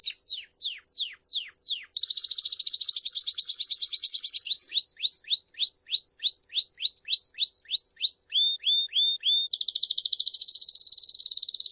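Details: A Belgian canary sings in distinct phrases: quick falling sweeps, a fast buzzy trill, then a run of rising whistled notes and another trill. Nothing else is heard.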